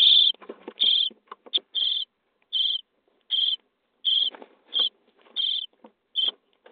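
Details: Common starling young in a nest box, 23 days, at feeding. Spaced raspy begging notes, about ten, come at irregular intervals among soft scratching and tapping noises.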